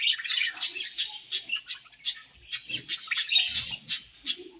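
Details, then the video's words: Budgerigars chirping while eating, dense high twittering chatter punctuated by sharp clicking pecks roughly three times a second, with a few lower squeaks. "𝑪𝒖𝒕𝒆 𝑩𝒖𝒅𝒈𝒊𝒆𝒔' 𝑪𝒉𝒊𝒓𝒑𝒊𝒏𝒈 𝑺𝒐𝒖𝒏𝒅𝒔 𝑾𝒉𝒊𝒍𝒆 𝑬𝒂𝒕𝒊𝒏𝒈"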